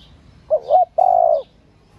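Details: Female spotted dove coo played to stimulate males: a pair of short wavering notes followed by one long level coo, faint high bird chirps behind.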